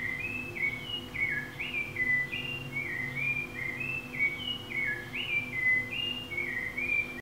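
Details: A thrush (zorzal) recorded in a studio in Montserrat at 5:26 a.m. sings a steady, monotonous run of short, clear whistled phrases, each slightly different, rising and falling in a high voice, over a faint low hum.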